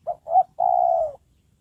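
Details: Spotted dove, a trained lure bird used for trapping wild doves, giving one low cooing phrase: two short hoots followed by a longer, steady, slightly falling coo, in a quiet setting.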